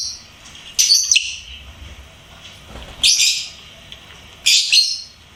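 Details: A pet lovebird sings with three evenly spaced bursts of high, harsh, twittering chirps, roughly every one and a half to two seconds, in an otherwise quiet room.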